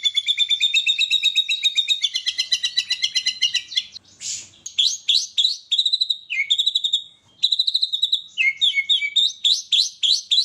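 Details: Contest-trained white-rumped shama singing 'isian' filler: rapid rattling trills give way to varied whistled phrases, buzzy bursts and sweet sliding notes, loud and continuous with brief pauses.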